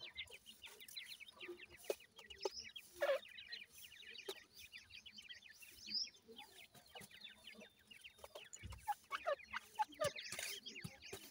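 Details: Seven-day-old grey francolin chicks keep up a dense chorus of thin, rapidly repeated peeps during feeding, with occasional louder squeaks and knocking sounds.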